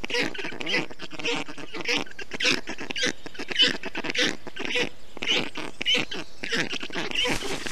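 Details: Black stork storklets in an Estonian nest, 20 June 2021, on a hot day as the father brings water, moss and wet grass to cool them; rough hissing, wheezy bursts follow one another quickly, nearly continuous.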